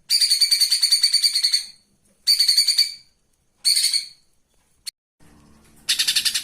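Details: Flowerpecker used as a live-bird master for training cage birds: rapid buzzy ticking trills, high and dense, in three bursts of one to two seconds with pauses between, a lone tick, then a faint hum before a fresh burst.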